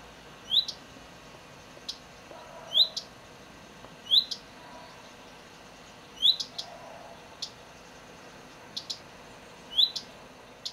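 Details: A common redstart in Lipník nad Bečvou, Czech Republic, gives short, thin, high notes with quick rising strokes, repeated about every two seconds, along with a few faint clicks.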